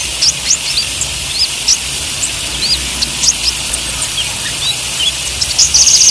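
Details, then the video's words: Olive-backed sunbird (konin) song, trotol and ijoan styles, for caged-bird singing practice: sparse, thin rising chirps spread through the clip, closing with a brief fast trill, over background hiss. "Suara KONIN Gacor || Terapi OMBYOKAN konin TROTOL DAN IJOAN"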